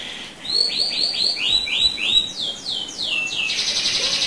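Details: ['Canary lure song meant to get other canaries singing. It has a series of bright, repeated swooping whistles that slide downward, followed by a fast, rolling buzzy trill at the end.']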